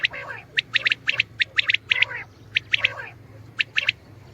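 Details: Common quail giving repeated groups of three sharp, bright notes, each group about a second apart, mixed with softer, throaty rasps and a low humming background.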